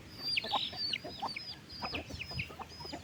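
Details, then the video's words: Afternoon feeding of farm chickens on 15 August: mostly high, quick chirps and peeps in rapid succession, with a few lower clucks underneath. "wild chicken farm feed them in the afternoon"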